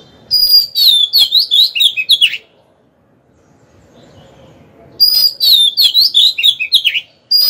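An Oriental magpie-robin sings two bursts of rapid, varied whistles and scratchy notes, each about two seconds long, with a quiet pause between them.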